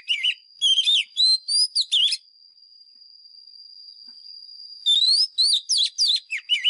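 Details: Oriental magpie-robin, a decoy bird, singing a challenge song used to train caged birds: rich whistled phrases of rising and falling notes in two bursts, separated by a pause with only a steady high whine.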